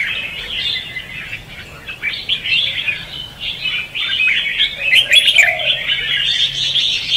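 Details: Competitive 'hót đấu' singing of a red-whiskered bulbul, used as a lure for trapping and to spur other bulbuls: rapid twittering and warbling notes in a continuous stream, growing louder and busier toward the end.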